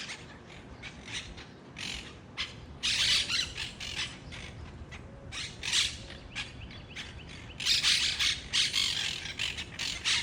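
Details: Wild monk parakeets calling in loud, harsh, grating squawk bursts, some single and some in rapid strings, with the loudest clusters around three and eight seconds.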